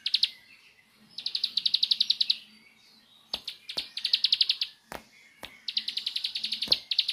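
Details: Rapid, rattling high trills from a bar-winged prinia in 'nembak' style, three main bursts of evenly spaced notes about a second long each, with crisp clicks between phrases.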